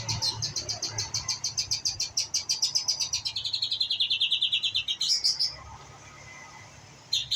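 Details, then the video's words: Young white-rumped shama learning its song delivers a long, fast train of high, sharp chipping notes, about five per second, sliding gradually lower in pitch before breaking off; near silence follows, then one last note. "murai batu pastol belajar bunyi"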